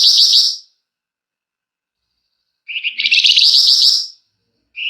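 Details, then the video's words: A flamboyan bird's long, dense, emotive chattering song, suited as a lure. A fading trill ends, there is a pause, then a high introductory note leads into a rapid buzzy phrase. "Burung Flamboyan GACOR Ngebrenn RAPET PANJANG!! Nyecrett Emosi Cocok Buat Pancingan"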